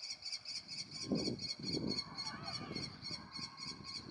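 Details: Young Common kestrels waiting for a parent to deliver food, morning of 2 June 2018: rapid, scratchy, high repeated cries with a few dull low knocks and rustles underneath.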